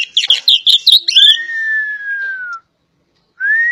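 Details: Oriental magpie-robin (kacer poci), Java: a burst of quick, varied chattering notes runs into a long, clear whistle that falls slightly at the end. After a short silence a rising whistle begins.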